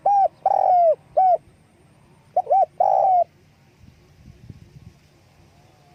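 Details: Calling spotted dove with wing flapping, giving a run of hollow coos, short then long then short, then a second phrase, followed by soft rustling and quiet.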